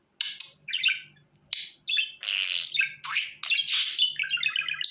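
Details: Budgerigar call used to bring the bird to the hand: separate squeaky chirps give way to continuous chattering warble with buzzy, trilled notes, plus a faint low hum.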